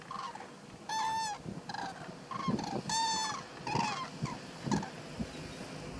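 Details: Common Cranes, also called Eurasian Cranes, at Little Rann of Kutch, Gujarat, India, in January 2020: loud, rich trumpeting calls, about five in six seconds, some overlapping, over a low rumbling background.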